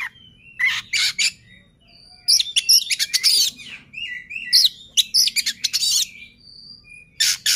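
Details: Oriental magpie-robin song used to spur untrained magpie-robins into singing: loud bursts of sharp, high whistles and buzzy, rapid chattering notes, separated by short pauses, with twisting slurred phrases in between.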